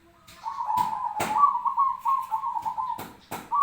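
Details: Fighting call of a zebra dove kept as a training recording for birds: one long, steady, rapidly trilled coo, interrupted by several sharp clicking or knocking sounds.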